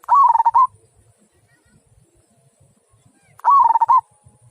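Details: Local zebra dove with a big 'kung' voice giving two rolling, stuttered cooing phrases about three seconds apart, each beginning with a higher note and settling lower, over a faint low hum.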